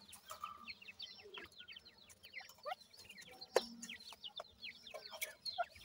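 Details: Francolin chicks chirping steadily, many short high falling notes crowding together, with occasional clicks and a brief louder thump midway.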